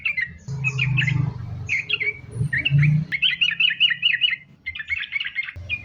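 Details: Sooty-headed bulbul in sambung ropel style as bait to make bulbuls sing: chattering phrases broken by short gaps, grouped rapid notes in the middle, with a loud low-pitched hum running underneath much of the recording.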